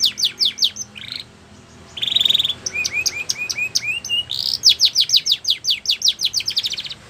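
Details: Belgian canary singing: rapid repeated downward-sweeping chirps in fast trills, a brief buzzy rattle, then a run of rising looped notes followed by more quick descending trill series, bright and high-pitched throughout with a clean background.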